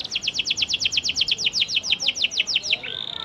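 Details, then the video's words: Lure song of a prolific panda canary, meant to provoke silent canaries into replying: a rapid run of about twenty identical downward-slurred high chirps, ending in one drawn-out whistle. "PANCINGAN KENARI PANDA GACOR AMPUH UNTUK MEMANCING KENARI MACET BUNYIPUN BISA LANGSUNG RESPON NYAUT"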